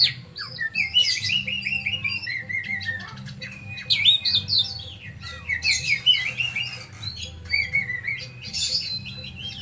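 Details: Varied oriental magpie-robin song: a chain of repeated downslurred whistles, then sharp rasping bursts and more sweet whistled phrases, over a soft low hum.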